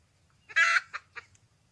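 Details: Wild red junglefowl hen calling for a mate: one loud harsh squawk followed by two shorter, fainter clucks, over a low background hum.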